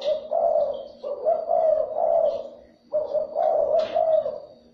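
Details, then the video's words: Coo of a spotted dove, meant to excite and lure other doves; two long, throaty multi-note phrases of soft, warbling coos separated by a brief pause. "7 phút chim cu gáy , kích bổi siêu nhanh"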